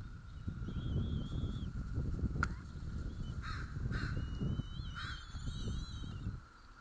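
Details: Feeding time for bald eagle chicks at White Rock, 06:15 on 06 04: thin, high wavering whistles, then a burst of overlapping slurred squeals, heard over constant low wind.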